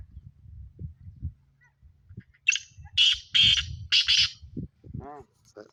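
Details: Trained seven-month-old Sindhi black francolin from Sindh, Pakistan, calling a harsh, scratchy series of four grating notes, each about half a second long, over low background rumble, followed by a brief nasal squawk.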